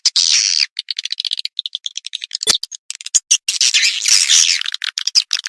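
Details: Lure sound for attracting swiftlets: a buzzy burst, then a run of rapid clicking ticks, then a dense, rasping twitter near the end.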